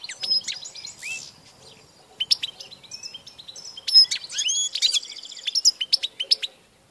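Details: European goldfinch recorded 16 March 2014, starting with scattered chirps, then building into a fast bright twittering run of sliding, tinkling notes.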